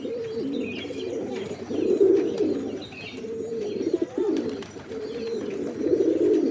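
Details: A flock of pigeons keeps up rolling, gurgling coos, overlapping phrases that rise and fall in loudness, some louder bursts standing out over a soft hiss.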